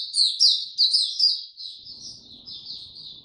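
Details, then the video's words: Buka tiong aw song from a caged Oriental white-eye, 25 January 2022, after a late night's sleep: loud high slurred notes at first, tapering into softer twittering with faint low background noise. "Mata Puteh Hercules V2 buka tiong aw sing"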